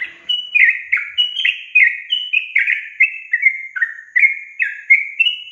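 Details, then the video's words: Sooty-headed bulbul song used as a lure to get reluctant young caged birds singing: a rapid run of bubbly, slurred whistled notes, each dipping downward, repeated roughly twice a second in a lively, uneven chain. "Pancingan Trucukan SUSAH BUNYI"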